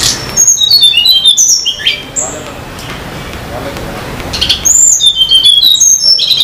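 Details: Wild Sunda laughingthrush in mountains at Banyuwangi, singing vigorously: rapid, high whistled notes that step and slide downward, in two lively bursts separated by a quieter pause.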